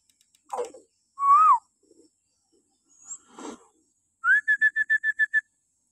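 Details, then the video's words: Common hill myna training recording from the morning: a rich arched whistle, a brief pause with soft rasps, then a rapid series of about eight short identical whistled notes. "suara burung beo melengking,cocok buat pancingan untuk terapi beo bahan di pagi hari"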